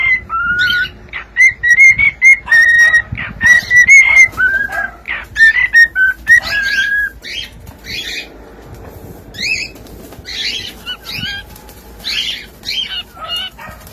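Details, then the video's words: A cockatiel sings clear whistled phrases of level and stepping tones, then shifts to harsher, scratchier chattering notes repeated irregularly. "SOM DE CALOPSITA CANTANDO"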